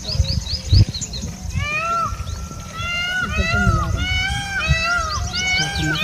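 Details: A peacock gives loud, nasal, arching calls, repeated and overlapping in quick succession, near a leopard, over a steady low background rumble.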